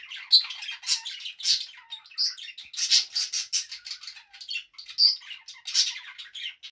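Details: Budgerigar kept as a pet, singing as it dances: dense, raspy chatter mixed with harsher squawk-like bursts and sharp clicks, delivered in uneven pulses with brief pauses.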